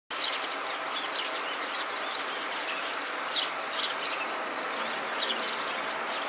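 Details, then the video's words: Eurasian tree sparrow calling while scratching an itchy spot with its beak and feet: dense, rapid series of short high chirps and tweets throughout, set over a steady broadband hiss of background noise. "痒い～痒いと鳴くすずめ Eurasian Tree Sparrow"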